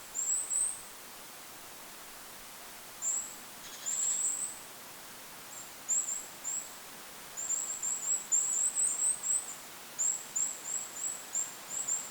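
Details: Goldcrest in a lakeside forest calling in short bursts of very high, thin notes, single and in quick strings of three to six, separated by pauses, with faint wind noise.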